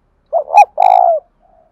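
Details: Spotted dove with a 'giọng đồng thổ' voice style, cooing steadily and evenly: a short rising-falling note, then a longer, fuller low coo that trails off, against a silent background.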